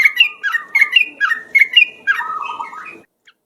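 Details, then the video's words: Yellow-vented bulbul singing strongly for luring: bubbly two-part whistled phrases repeated about every half second, then ending in a longer descending warble before falling silent. "suara pikat trucuk ropel..super gacor..durasi panjang"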